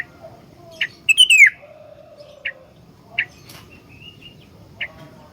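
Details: Highly vocal sooty-headed bulbul with a full song, kept as a model to teach and lure other bulbuls. A sharp descending whistle is followed by a low drawn-out note and scattered short chirps about a second apart.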